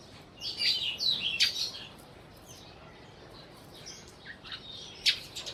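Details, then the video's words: Sparrows in Burma giving a busy run of high chirps and tweets in the first two seconds, then scattered short sharp chirps near five seconds, with faint wing flutters between. "Sparrows/ sparrow sounds"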